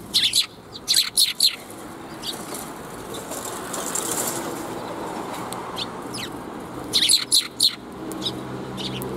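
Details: Sparrows greeting along the way on April 16, 2021: clusters of quick high chirps and wing flutters at the start and again near the end, with a rushing background noise between.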